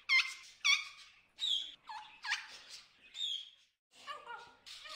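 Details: Wild macaws, described as hungry, call in the Amazon jungle rainforest. Loud, rough, stacked squawks repeat irregularly about twice a second, followed by softer, lower chattering notes.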